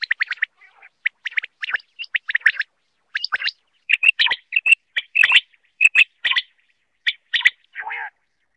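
Quail calling in quick, uneven bursts of sharp, high chirps and short trills, ending in a lower burry note, against a quiet background.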